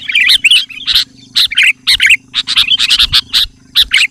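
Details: Sooty-headed bulbul singing energetically to lure wild bulbuls. Short warbling phrases and sharp chirps come in rapid, irregular bursts over a low background hum.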